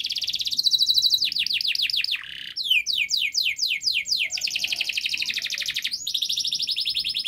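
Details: Canary song, long and rapid, meant as a lure for young canaries to start singing: high trills, a harsh buzzy burst, then repeated downward-sweeping notes and a steady dense trill to the end.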